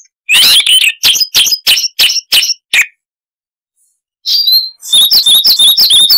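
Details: Siberian rubythroat song, a chattering songbird with many varied notes, cleaned of noise: a burst of rich twittering, seven quick sharp notes, a pause, then a high whistle followed by a rapid run of bright repeated chirps.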